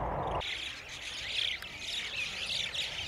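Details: A growing flock of crested mynas, 12 January 2020, keeps up a dense, continuous chatter of high, squeaky and grating notes, many birds calling over each other after a brief low rumble.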